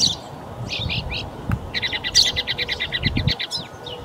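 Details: A Northern mockingbird at a park in Folsom, California, dated March 21, 2044, mimics other birds' songs with varied borrowed phrases, then a fast run of about a dozen sharp, even chips over low rumbles of wind or traffic.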